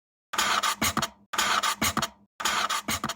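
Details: Three identical bursts of dry scratching and rasping, about one second apart, separated by silence; no animal voice is heard.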